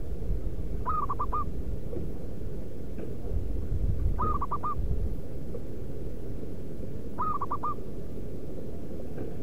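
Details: Wild local zebra dove (perkutut) song used as a lure for wild birds: a quick stuttering coo of four clipped notes, heard three times about three seconds apart against continuous deep background rumble.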